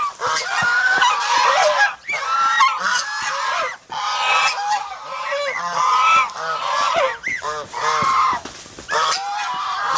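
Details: Guarding flock of farm geese in the Philippines calling continuously: dense, grating honks from many birds, some notes sliding down in pitch, the chorus dipping briefly about every two seconds.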